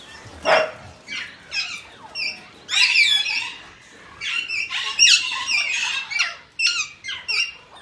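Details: Alexandrine parakeet producing harsh, screechy squawks and chatter, irregular bursts over eight seconds, with a lower rough note near the start.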